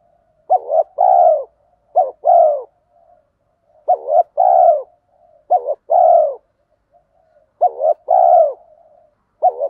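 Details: Repeated cooing of male and female spotted doves used to stimulate training birds: about five low two-part phrases, short note then sustained coo, spaced near two seconds apart, with faint soft murmurs between.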